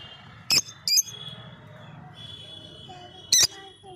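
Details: Lovebird making three short, shrill chirps, two close together and one after a pause, against a quiet humming background.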